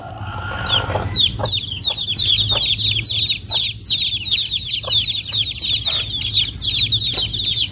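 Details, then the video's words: Chicks cheeping together in a natural village scene at Noldang: rapid, high-pitched downslurred peeps pour out constantly, layered over one another, after a brief lower call at the start, with scattered soft taps and rustles. "Chicken baby sounds"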